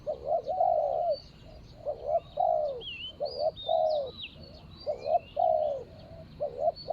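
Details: Decoy spotted dove calling on the ground to lure a rival, 24 January 2565 (Thai calendar). Phrases repeat steadily, each a quick doubled coo followed by a drawn-out falling coo. Faint twittering of other birds sounds higher up.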